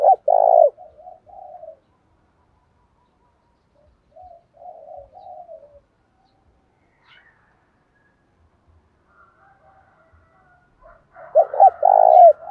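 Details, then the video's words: Spotted dove cooing in the 'giọng thổ' style mixed with 'thúc rút đấu', used to lure wild doves into answering: a loud clipped coo phrase opens, soft low coos follow midway, and another strong phrase closes. "cu gáy giọng thổ pha thúc rút đấu, giúp bổi nghe gáy theo"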